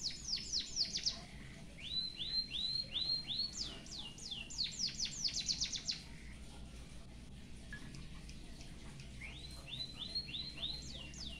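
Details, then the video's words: Singing white-headed munia with full canary-style phrases, recorded as a tutor: alternating bursts of fast falling slurs and rows of upswept arched whistles, then a quieter stretch before the whistles resume. "BURUNG EMPRIT HAJI FULL ISIAN KENARI BIKIN GOYANG GOYANG COCOK BUAT MASTERAN"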